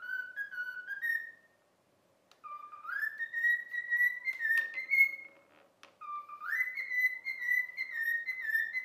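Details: Pet cockatiel trained for about a week, whistling the learned tune "If You're Happy and You Know It" indoors: clear whistled phrases of rising and level notes, a short pause, then the phrase resumes with a sharp upward slide.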